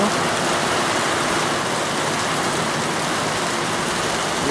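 Steady broadband hiss like rain or rushing water throughout, with no animal call standing out.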